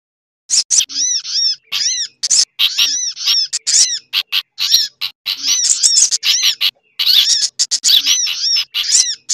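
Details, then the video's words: Sogok ontong (sunbird) lure recording combined with other birds' calls including bulbul chatter: after half a second of quiet, rapid high chirps and repeated arched notes pour out in close, noisy runs. "Suara Pikat Burung Sogok Ontong Ribut Kombinasi"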